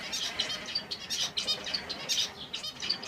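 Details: Finches of various species in natural habitat, heard as a close, busy run of bright high chirps and buzzy trilled notes repeating in quick bursts about every half second.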